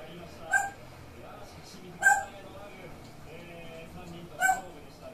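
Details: Grey parrot with an oddly distinctive voice: three abrupt rasping squawks about 1.5 and 2.4 seconds apart, with soft faint warbling murmurs in between and a low background hum.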